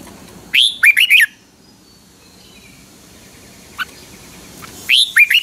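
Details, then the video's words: Caged Red-whiskered Bulbul of Pa La-u, Thailand, in 'phleng boen' song. A crisp phrase of a rising whistle and three looping notes is followed by a long pause with a single short chirp, then the phrase starts again. "นกหัวจุก, เสียงนกกรงหัวจุก นกป่าละอู เพลงเบิ้ล2 เพลงเบิ้ล3"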